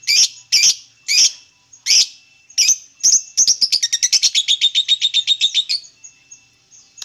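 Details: Singing lovebird starting with spaced harsh high chirps, then speeding into a long rapid run of chattering notes before trailing off into faint twitters.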